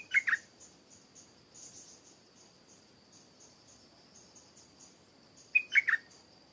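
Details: Two bubbling three-note bursts from a stripe-throated bulbul open and close this garden recording, separated by five seconds of soft high twittering over a steady shrill insect drone.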